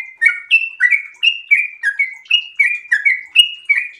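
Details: Sooty-headed bulbul in breeding condition delivering a fast ropel song, quick liquid whistled phrases pouring out about three per second, alternating rising and falling slurs in a clean recording.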